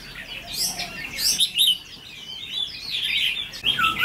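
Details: Red-whiskered bulbul, a trainee 'mí lửa' decoy bird tested for its fighting attitude; bursts of lively warbled chirps come in uneven spurts, with low murmuring and background noise underneath.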